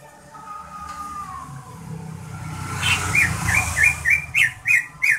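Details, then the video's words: Competition-grade greater green leafbird giving its daily song. After a quiet stretch with low background hum, a run of short, clear, slurred notes repeats about every third of a second and grows louder. "Suara harian cucak ijo prestasi"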